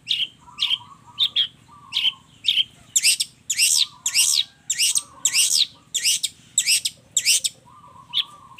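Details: Long-tailed shrike in a full combination-fill song meant to make other shrikes answer excitedly: buzzy, downward-sweeping high notes repeated about twice a second, mixed with lower, flatter warbled phrases between them.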